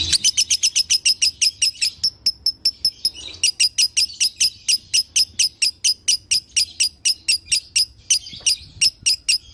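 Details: Lovebird chirping meant to make another lovebird sing again: a long run of crisp, high, evenly spaced chips, briefly quickening, then continuing at a steady, slightly slower pace.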